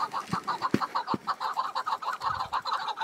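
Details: Chukar partridge in the wild on a cold spring mountainside: rapid rhythmic chuck notes repeated about three times a second, with a few sharp knocks and wind noise.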